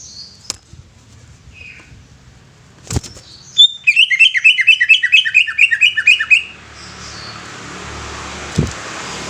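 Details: Greater green leafbird giving a rapid run of about a dozen bright, chirping whistled notes, each dropping sharply. Scattered clicks and knocks come before it, and a soft hiss follows.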